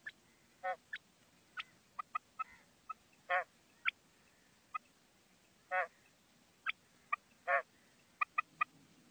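A female common quail gives irregular short, sharp notes, broken by four longer, lower raspy calls, across nine seconds. Nothing else is heard.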